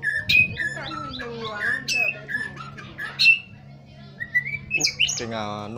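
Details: Morning song of a white-rumped shama: a mix of clear whistles, quick slurred notes and sharp accents, set against low steady background music, ending in a harsh buzzy rattle.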